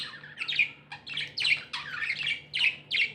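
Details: Happy pet budgerigars chirping indoors: bursts of bright, scratchy warbled chirps repeated roughly every half second, a steady low hum beneath.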